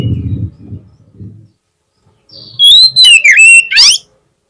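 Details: Song meant to bait a rival kacer into answering: after a short low rumble and quiet gap, a loud run of clear whistles rises and falls, mixed with harsh, buzzy rasps.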